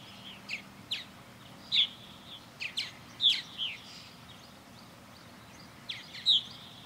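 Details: Purple martins circling a backyard birdhouse under blue sky; sparse, sharp gurgled chirps spaced about a second apart, with a quiet pause mid-way before two final notes.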